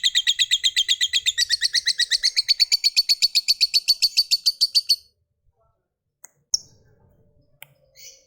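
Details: Lovebird pouring out its long ngekek trill, used to coax other lovebirds into song: a five-second burst of fast repeated raspy notes, then quiet with a couple of brief squeaks.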